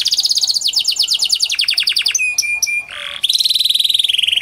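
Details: ['Panda canary song used to get lazy canaries singing: fast repeated chirps, short piping notes, then a sustained buzzy rolling trill.']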